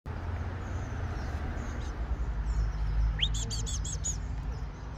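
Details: A Diamond firetail chick being crop-fed gives a rising squeak, then a quick run of five high, thin, nasal begging notes over a heavy low rumble of handling noise.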